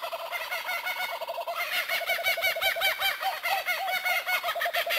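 A kookaburra's raucous laugh: rapid, tumbling chuckles that swell into a loud, rolling cackle, with overlapping notes that suggest more than one bird.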